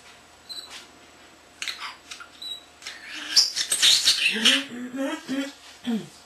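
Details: Young captive common starling mimicking speech, camera beeps and other birds; clicks and scattered notes build into a loud, scratchy, speech-like passage with lower harmonic warbles at the end, in a small room.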